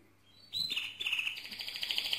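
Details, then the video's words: Mosaic canary bursting into song after a quiet start: sharp rising note, then quick repeated trilled phrases. "le Chant le plus fort de canari mosaïque"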